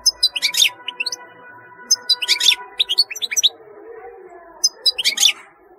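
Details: European goldfinch singing: several brief bursts of high, tinkling twitters with quick chirped notes, separated by short pauses, over a faint steady hum.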